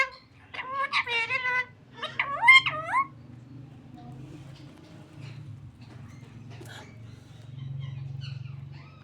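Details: Talking parrot vocalizing indoors: two bursts of speech-like harmonic sounds in the first three seconds, wavering and rising, then quiet with a low steady hum and faint scattered clicks.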